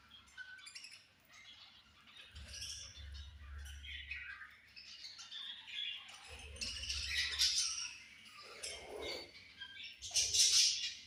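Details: Several budgerigars at feeding time, a busy overlapping chatter of high chirps, squawks and warbles, rising in loudness toward the end, with intermittent low rumbling in the background.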